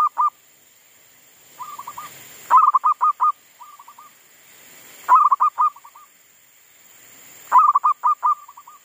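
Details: A captive Zebra dove decoy in a garden on a strongly windy afternoon, around 4:30, sings again after being stressed by wild monkeys: bursts of soft rolling cooing, a quick stuttered run about every two and a half seconds, with quieter trailing phrases.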